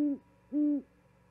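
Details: Pair of prolonged low hoots from an owl bringing a vole to its mate at an osprey nest in Charlo, Montana, 13 February 2022, repeated about half a second apart.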